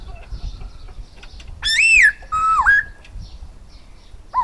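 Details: Silver-eared laughingthrush giving a loud arched whistle and then a level whistle with a deep dip, amid low rumbling background noise and faint soft notes. A new whistle begins at the end.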